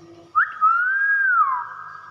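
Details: A common hill myna gives a single long whistle that jumps up and then swells gently before dropping away into an echoing hum, in a quiet room.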